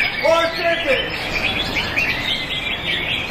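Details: Caged greater green leafbird, first-place winner in a silver-class songbird contest at an arena in Jakarta on 19 February 2023, sings a fast, unbroken run of high, sharp chirps and slurred whistles amid crowd noise and a few voices.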